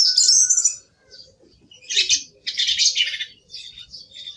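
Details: Song thrush song: a high, thin whistled opening followed by dense scratchy, rattling phrases of short notes delivered in quick bursts with brief gaps between them.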